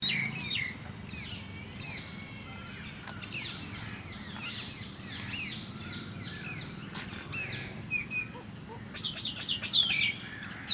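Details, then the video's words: Mynas in the evening, in grass near a village, chatter in a busy mix of sharp whistles, squeaks and downslurred notes, with more shrill whistles near the end over a low rumble of background noise. "myna birds"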